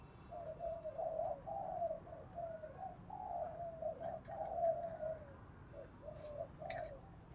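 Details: Spotted dove lure call in Đồng Thổ voice, calling coos with thúc and gù phrases meant to draw wild doves; a steady chain of mellow low coos over a constant rumbling background hiss, with faint clicks near the end.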